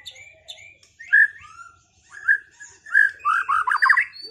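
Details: White-rumped shama after moulting, singing in a duel to restore performance: clear whistled phrases around mid pitch, ending in a rapid burst of bright repeated notes.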